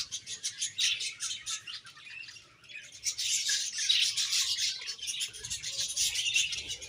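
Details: Budgies chirp in uneven pulses, quieter early on and then swelling into a dense, high twittering chatter.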